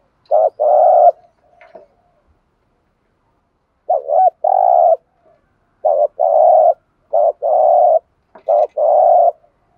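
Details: Spotted dove kept as a decoy, cooing in the thúc gù style to provoke other doves. Repeated phrases pair a brief throaty note with a longer buzzy coo, separated by pauses, in a quiet setting.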